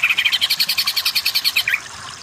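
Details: Greater green leafbird (cucak ijo) used as a masteran tutor recording to make weak-voiced birds sing vigorously (kejer); a fast, even run of about fifteen sharp, bright pulses, ending in a short lower slurred note.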